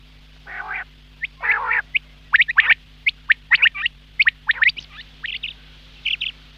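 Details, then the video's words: Quail heard in the morning: two rasping bursts open a series of short, sharp, clipped notes repeated about once a second, with a faint steady hum behind. "Quail Sound , Bater Ki Awaz subbha keliey ,Bedana Ovozi,бедана сайраши"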